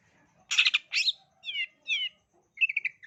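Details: Long-tailed shrike song used as a lure to set young shrikes singing: two harsh buzzy bursts, then two short downslurred whistles, ending in a quick run of clipped chattering notes, with quiet gaps between phrases.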